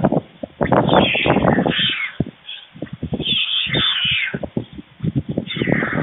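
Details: Two white stork nestlings near fledging, fed by the adult male at a webcam nest in Forhde, Germany, on a July 2019 lunchtime: rough, croaking calls in quick irregular bursts, with thuds and rustles between them.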